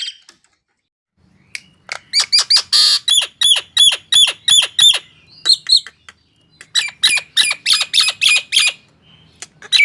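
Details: Nias hill myna singing to trigger song in mute mynas: loud rhythmic runs of sharp squawky notes, about three per second, with whistled hooks, separated by a short pause.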